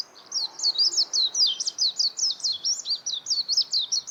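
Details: Close, loud warbling white-eye pouring out a rapid series of high, wiry, up-and-down notes, roughly four each second, with little background noise.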